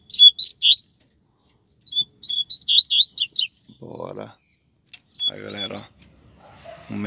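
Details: Double-collared seedeater, one of a pair on the street, gives two quick phrases of high chirped and slurred notes, followed by muffled human voices and low background noise.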